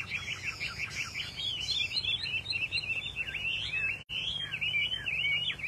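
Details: Rare caged Chinese hwamei, described as a silvery leucistic bird, singing a rich, varied song of rapid whistled slurs and twisting phrases with little pause, steady low background hum.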